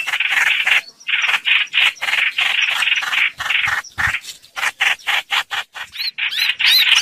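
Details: Streak-eared bulbul sound used as a trapping lure: rapid, uneven string of rasping, chattering notes, with thinner higher squeaky notes near the end.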